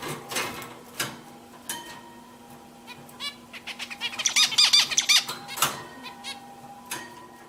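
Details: Several pet zebra finches singing: scattered short nasal honking calls lead into a rapid burst of buzzy, harsh, stacked notes about two seconds long, then more isolated calls, over a steady low electrical hum.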